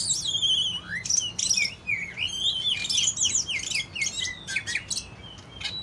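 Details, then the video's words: Greater green leafbird singing: bright whistled notes and quick rising and falling slurs, some sharp high chirps, delivered in a busy run over a steady low hum. "burung cucak ijo"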